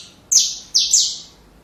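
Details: Saffron finch singing for young birds: three bright, high chirps in quick succession, each sliding down in pitch.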